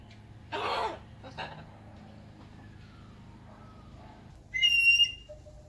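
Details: Blue-and-gold macaw kept as a pet, outside in the morning with a red-tailed black cockatoo; one loud, coarse rasping squawk early on, a quieter rasp after it, then a shorter, clearer ringing call near the end.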